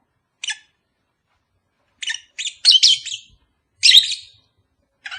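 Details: Pet lovebird pair sound meant to prompt breeding: bursts of harsh, high chirps, short and spaced at first, then louder grouped squeaky notes in the middle and near the end.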